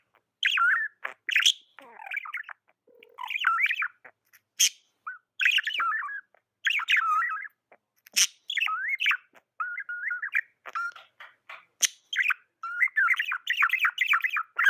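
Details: Budgerigar kept as a pet, chattering almost nonstop for about fifteen seconds: busy warbled chirps, clicks and short whistled slides, with sharp ticking notes between phrases. A steady flowing twitter fills the end.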